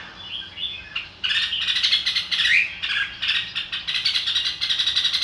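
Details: Red-whiskered bulbul song begins faintly, then breaks into loud, steady, rapid chattering warbles that last to the end.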